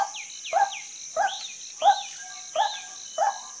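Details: Female white-breasted waterhen calling with abrupt, rough notes spaced unevenly, six in total. Thin descending high whistles and a constant shrill hiss sound in the background.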